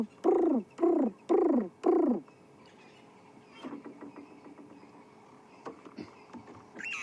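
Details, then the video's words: At sunset in Sabi Sand, South Africa, a dove gives four loud, rounded cooing notes in quick succession, each swelling and falling, then quieter distant bird calls fill the rest. "you can possibly also hear the dove going. It's lovely."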